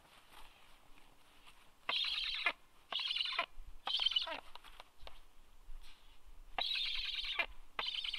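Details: Black stork at its nest on 26 August 2022; harsh, rasping calls rich in overtones, delivered in bursts about half a second long with short pauses between, several ending in a downward slur.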